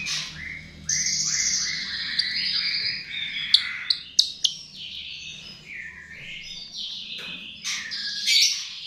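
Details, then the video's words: Lure song of a chestnut-tailed starling: a busy run of chirps, whistled slurs and buzzy trills, broken by several sharp clicks. "Pancingan Jalak RIO RIO"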